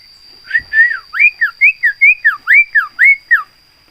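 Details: Javan myna, a trained bird known for its very loud voice and for copying human sounds, gives about a dozen clear whistled notes over three seconds, each sliding up then down, in a quick, lively run.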